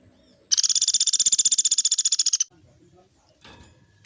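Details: Sunda pygmy woodpecker, called pelatuk beras, singing a long roll meant as training material for caged birds: one high, evenly pulsed buzzy trill of about two seconds, followed by faint low background noise.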